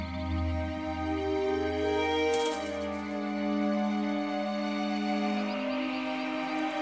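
Calm ambient music with sustained, layered synthesizer tones and a soft shimmering swell near the middle, with no animal calls.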